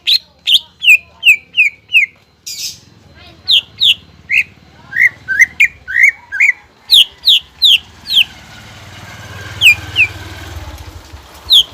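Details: Greater green leafbird in full song, played to stir young, untrained leafbirds to sing: rapid series of rich descending whistles, then scattered notes as a low hissing and rumbling background rises toward the end.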